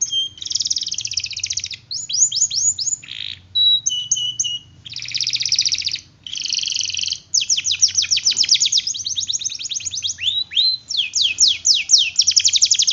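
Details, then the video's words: Canary singing a long rolling song, used as a master training track to prompt other canaries to sing: fast trills of rapid descending notes, buzzy rattles and brief whistled tones, with short pauses between phrases. "Masteran Kenari Gacor, Pancingan Kenari Gacor Sulit Bunyi"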